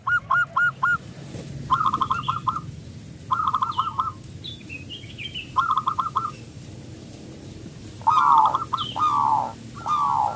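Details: Loud-voiced local zebra dove used as a singing lure: clusters of rapid, slightly purring coo notes at intervals, accompanied by thin high chirps from other small birds and a hissing background.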